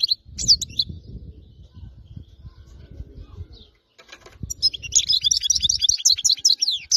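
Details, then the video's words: Wild-caught European goldfinch from area 86: a few sharp chirps, then several seconds of low rustling and handling noise before a lively stream of rapid tinkling twitters and slurred notes resumes. "تغريد حسون صيد خلوي منطقة ٨٦ خلي من الأخطاء"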